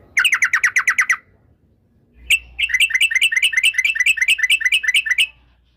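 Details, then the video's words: Rapid, evenly pulsed chatter from a yellow-vented bulbul, the 'ropel' style used as a calling lure. A one-second burst, a short gap, then a longer three-second rolling run over a soft low drone. "TRUCUK gacor UPLIK NGEPRUL pancingan trucuk agar BUNYI, jadikan burung trucukan BUNYI ROPEL"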